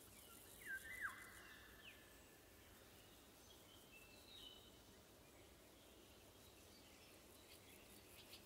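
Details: Eurasian golden oriole singing in summer woods in June 2020, recorded on a pair of AKG C414B XLS microphones: a short fluty whistled phrase sliding downward near the start, then soft faint notes over steady wind and insect hiss.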